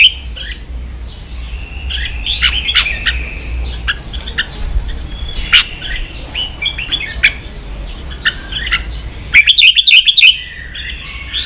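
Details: Red-whiskered bulbul caged in Vietnam and stirred to rival another singer: a long run of quick chirps and short whistles that ends in a loud, bubbling, rippling flourish.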